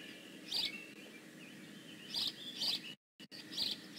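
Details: Short piercing chirps from a bald eagle at the Decorah North nest, 15 May 2017, sparse and uneven with soft squeaky notes between, interrupted by a brief gap of silence.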